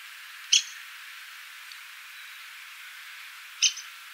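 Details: Downy Woodpecker in Cincinnati, Ohio gives two sharp, high 'pik' notes about three seconds apart over a steady soft hiss.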